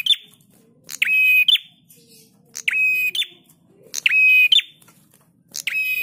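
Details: Prinia used as a training master for cage birds, delivering short harsh buzzy phrases that end in a sharp rising chip, about four phrases in six seconds, with a soft low murmur underneath.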